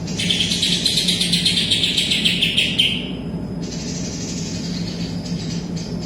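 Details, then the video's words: A greater green leafbird in full song with kapas tembak imitation: a brisk, rapidly pulsing, buzzy chatter of about three seconds trails downward, then thin high notes follow, over a continuous low hum. "cucak ijo isian kapas tembak full gacor"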